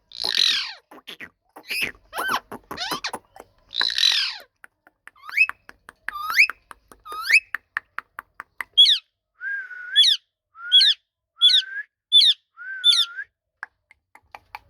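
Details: Pet rose-ringed parakeet talking: a run of harsh, squawky speech-like syllables in the first seconds, then a series of sharp upward-sweeping whistled notes, roughly one per second, with short rasping ends.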